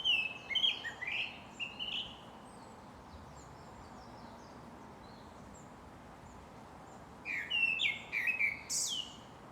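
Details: Japanese thrush singing at Shinano-Oiwake, Japan: short fluty, whistled phrases at the start, then a long pause, then a fresh burst of varied clear notes, all over a steady broad hiss of background noise.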